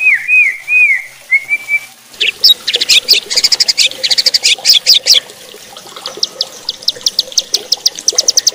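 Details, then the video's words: White-rumped shama song used to provoke other shamas: a few looping whistled notes, then long bursts of rapid high ticking and chattering notes in dense series. "bikin MURAI BATU LAIN JADI GACOR EMOSI,,MUNTAH ISIAN"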